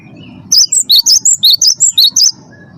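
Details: Song of a first-place Cinereous tit used to prompt captive birds to sing: one brisk phrase of about ten sharp, high alternating notes, evenly spaced, set against a soft low murmur.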